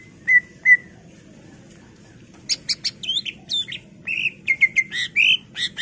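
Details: Greater green leafbird full song played to stir other birds into singing: two clear whistled notes, a pause, then a dense, rapid string of buzzy chips and slurred whistles over steady low background hum.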